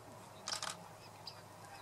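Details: Bearded reedling (Panurus biarmicus) call at Lake Gopło, 27 December 2017: two quick, nasal, twangy notes in close succession, then a couple of faint high pings against a soft background hiss.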